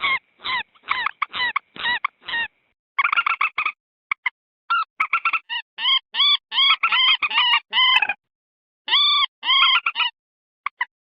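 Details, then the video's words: Common moorhen lure call, an edited recording meant to draw wild birds closer in swamps, rice fields or waters. Slow series of loud, harmonic, nasal notes, some rapid and clipped, others drawn out and wavering, in irregular bursts. "Suara pikat burung Mandar"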